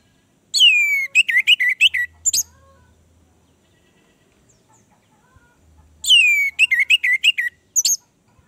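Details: Orange-headed thrush song used as a lure to get a silent bird singing: two matching phrases about five seconds apart, each opening with high downslurred whistles dropping steeply, then a quick run of sharp, varied notes.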